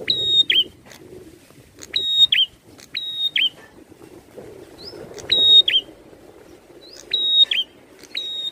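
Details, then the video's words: Prinia singing busily while showing an aggressive, challenging display: high, level whistled phrases, each opened by a quick upsweep and closed by a dropping slur, repeated in irregular bursts with short pauses, over soft low rumble. "PRENJAK GACOR NARUNG"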